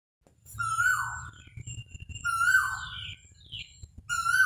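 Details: Koha bird: a loud, clear whistled note that swells and then slides downward, repeated about every one and a half seconds, over a low background rumble.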